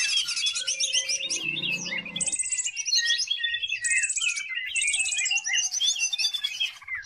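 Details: Greater green leafbird pouring out varied song as a lure for other birds: rapid scratchy twitters, repeated bursts of high buzzy rattles, and clear whistles, with a faint low hum early on.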